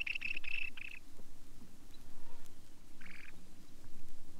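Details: Long-billed Dowitcher (Limnodromus scolopaceus) giving a quick run of high, sharp keek notes, then a shorter burst of slightly lower notes, over low record rumble.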